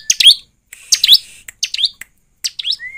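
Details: Scattered high, twisting chirps from a bar-winged prinia (ciblek), played to trigger singing; notes come in loose clusters with brief silences, ending in a thin level whistle.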